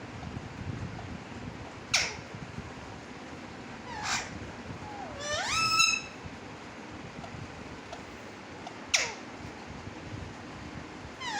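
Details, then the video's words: Pet parrot calling out a short spoken phrase indoors in a small room: scattered sharp downward-sweeping squawks, then one drawn-out rising harmonic utterance near the middle, with further brief squawks later. "Parrot Calling Mumma Mitthu"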